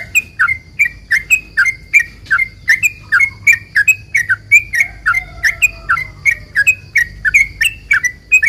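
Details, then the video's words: Sooty-headed bulbul giving a 'ropel panjang' lure song to make other bulbuls respond: evenly spaced, rapid, slurred chirps, each dropping in pitch, repeated nonstop over a low background rumble and a faint high hum. "trucukan gacor ROPEL PANJANG ini buat pancingan trucukan agar bunyi"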